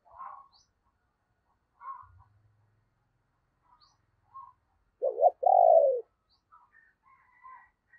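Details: Decoy spotted dove, used in the morning to lure wild doves, giving an urging call and coos: a loud, low, two-part hoarse coo near the six-second mark after scattered faint notes, with brief higher chirps from other birds.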